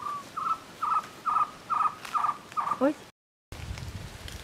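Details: Cuban trogon, Priotelus temnurus temnurus, singing in Alejandro de Humboldt National Park, Cuba, 24 February 2017. Loud, closely spaced whistled notes repeat rapidly, ending with two lower falling notes, then a brief silence and low rumbling noise.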